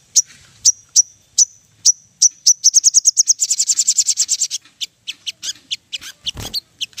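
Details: Ruby-throated bulbul song used as a lure to set other birds singing: sharp high chips, then a fast run of buzzy repeated notes, then spaced chirps again.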